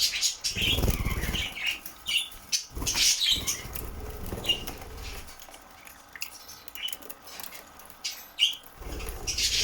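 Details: A pet budgerigar playing in a shower gives short, bright chirps and warbles amid wing flutters and splashing.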